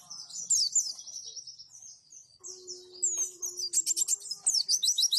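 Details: Roll tembak and wituwit white-eye song used as a training recording: fast, thin, high twittering that builds into a loud rapid series of sharp chirps near the end, with a faint steady lower tone in the background.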